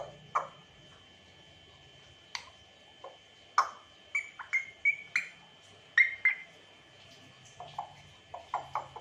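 A grey parrot gives scattered sharp clicks and short whistled notes, some rising and some falling, in loose bursts, over a steady high electrical hum.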